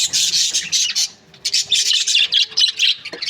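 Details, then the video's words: Budgerigar breeding pairs chattering together: dense, overlapping high chirps and squawks in rapid bursts, with a brief pause near the middle before the chorus resumes. "Budgies parrot chirping sound"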